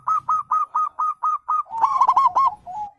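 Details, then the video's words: Wild zebra dove calling, a sound played to draw answers from caged birds: eight evenly spaced short cooing notes, then a fast bubbling trill and a final falling, drawn coo. "panggilan perkutut liar"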